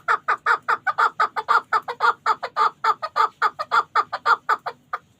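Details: Chukar partridge from the Pamir, a hunting bird, calling in an unbroken run of loud, rapid, husky chuk notes, evenly spaced and steady in pitch before trailing off at the end.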